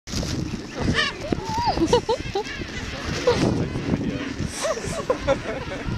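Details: Feisty juvenile king penguins at Gold Beach, South Georgia, give wavering whistled calls that rise and fall. Several birds overlap, with people talking and water splashing nearby.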